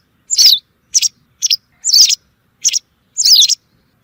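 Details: Hunting-lure recording of white wagtail calls: six bright, clipped chirps spaced about half a second apart, some doubled, with no other sounds.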